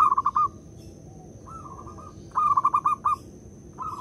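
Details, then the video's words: Zebra dove (local perkutut) lure song meant to make other birds sing: clipped runs of fast staccato coos, a softer drawn-out rolling phrase, then another quick burst, over a steady faint high-pitched whine. "Pekrutut lokal jadi cepat manggung dengar perkutut ini bunyi (PERKUTUT PIKAT)"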